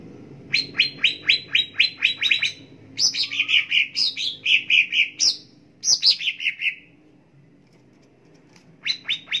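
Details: Greater green leafbird song for tutoring caged birds morning to night. Steady rapid chirps lead into lively warbled, falling phrases, then quiet before a final few sharp notes.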